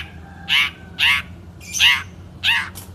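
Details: Long-tailed Shrike, a national champion songbird kept in a cage, 2016, giving four harsh, rasping squawk notes spaced roughly half a second apart, each a short scratchy burst.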